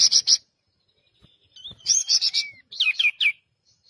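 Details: Pied triller singing a lure recording used to coax caged birds into full song: sharp high chirps, then a bright whistled rising-falling phrase and a gliding whistle, followed by a cluster of quick buzzy notes, with no other sounds.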